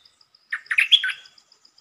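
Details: Red-whiskered bulbul giving a short song phrase for luring, quick to start: a rapid run of warbled, bubbling notes that rise and fall, over a faint, steady, high ticking in the background.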